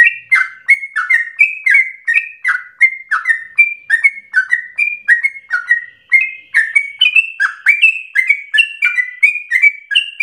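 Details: Ten seconds of unbroken sooty-headed bulbul song in a rapid, heated style, used to spur other birds to sing and as a master for training: sharp chirped notes alternating high and low at a brisk, even pace.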